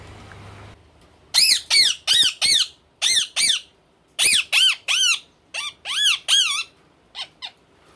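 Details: Male and female ringneck parrots screeching in rapid runs of harsh arched squawks, groups of three or four close together, ending with two short quieter calls.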